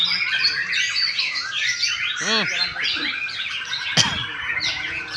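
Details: Gantang song of a white-rumped shama (murai batu): a tumbling stream of high whistles and chatter, with a brief arched, buzzy note near the middle and a loud click toward the end.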